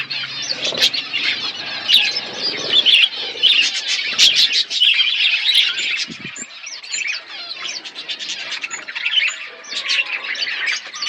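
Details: Chirping budgerigars eating food, a continuous bright chatter of quick warbled notes and short repeated chirps from several birds, with soft clicks in the background.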